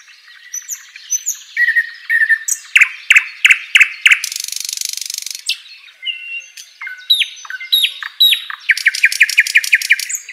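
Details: Lively song of an Asian brown flycatcher used as tutor material for cage birds: chattering phrases, a run of loud falling whistles, a brief harsh noisy burst, sweeping notes, and a rapid repeated trill to finish.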